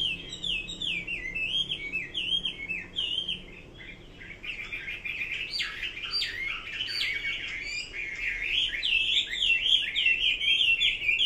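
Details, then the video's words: Chinese hwamei singing: repeated looping whistled phrases at first, a short quieter gap, then a dense, loud, fast-changing warble of slurred and trilled notes building to the end. "Kicau burung Hua Mei."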